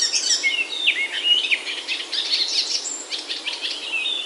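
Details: Himalayan hill forest of oaks in Himachal, India, full of birdsong. A lively jumble of high chirps, trills and quick slurred whistles comes from several birds at once, steady throughout.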